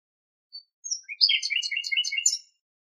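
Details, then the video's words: Common nightingale singing in Greek nature: a thin whistle, then a rapid run of repeated buzzy, chirping notes at about five per second, high-pitched and quick, against a silent background. "Το Αηδόνι Κελαηδάει - Αηδόνι Κελάηδημα - Nightingale singing"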